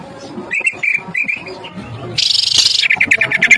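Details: Greater green leafbird singing, played as a lure to make other birds agitated and vocal: spaced clear whistled notes, then a sudden harsh buzzy burst followed by a fast series of sharp chirps.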